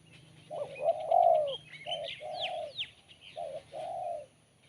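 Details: Crisp, sharp-voiced spotted dove song: a phrase of short coos and a long falling coo, then two more coos. Other small birds twitter and give sweeping whistles over it.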